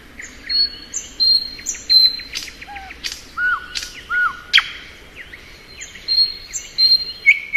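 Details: In spring, a thrush nightingale sings varied phrases: short whistles, a quick run of ticking notes, sharp clicks and low sliding notes, with pauses between. Thin high whistles from another bird are heard too.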